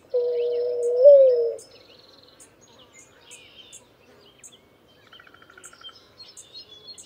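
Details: A single long, even coo from a Streptopelia dove with a brief upward lift at its close, followed by faint, scattered chirps from small birds in the background.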